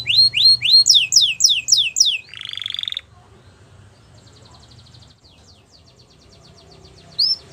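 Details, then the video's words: Belgian canary gives a burst of quick rising and falling whistles plus a buzzy trill, then goes quiet apart from faint rapid high notes and one final bright chirp. "Belgian Canary | Bird Sounds | Canary Singing"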